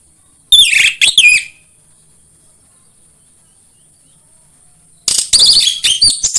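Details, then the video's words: Orange-headed thrush lure song meant to get other birds of its kind singing quickly: a burst of sharp, slurred whistles, a long pause, then dense, fast, buzzy and twittering phrasing, over a light steady high hum. "PANCINGAN AMPUH UNTUK BURUNG DIRUMAH UNTUK SEGALA JENIS ANIS MERAH SUAPAYA CEPAT GACOR"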